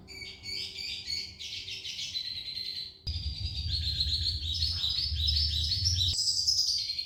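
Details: Gacor isian song of a red siskin: rapid, bright twittering with quick trills and varied chirps, some slightly harsher notes, faint low rumble beneath.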